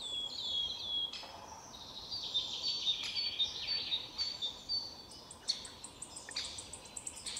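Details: A wood warbler in Lübeck on 13 May 2023 gives a thin, high series of ticking notes that quicken, then breaks into a dry, shivering trill, over a soft background hiss.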